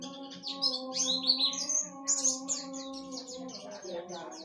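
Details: White-eye in a fast, high twittering song of short sliding whistled notes, rising and falling in quick succession, then settling into a steady run of repeated downslurred chips, over a constant low humming tone.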